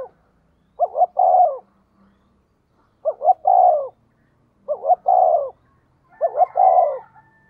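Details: Decoy spotted dove cooing steadily to attract wild birds: four evenly spaced phrases, each two brief hoots followed by a longer, slightly falling coo, roughly every two seconds.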